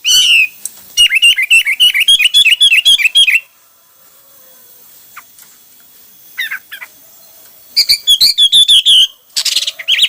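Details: Hwamei pours out a long, rapid string of repeated looping whistled notes, falls silent for a few seconds apart from faint chips, then resumes with another quick burst of ringing repeated notes.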